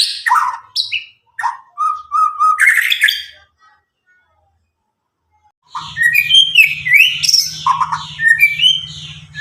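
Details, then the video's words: Nine-month-old Medan White-rumped shama, newly past its spotted juvenile stage, in loud clear song for stirring silent birds: downslurred whistles and repeated short notes, a pause, then a dense run of high warbling with background hum. "murai batu Medan gacor walau lepas trotol cocok untuk pancingan murai batu macet"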